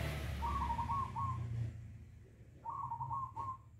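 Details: Several local zebra doves singing actively while greeting the sunrise: two bursts of quick trilled, cooing notes, each lasting about a second, with a low background rumble.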